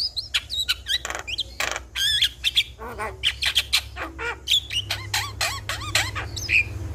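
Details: Javan myna lure song meant to get a silent starling singing. Dense harsh squawks alternate with clear whistled notes and fast chatter in an almost unbroken stream.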